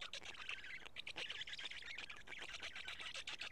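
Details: Black stork chicks in the Karula nest, 31 May 2017 at 12:47, while an adult feeds them two big fish: continuous harsh, rasping, hissing calls, densely overlapping with short breaks.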